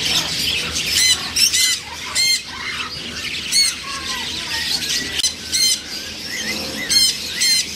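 Macaws give harsh, raucous squawks in short bursts, several within eight seconds, over a softer background of chatter from other birds.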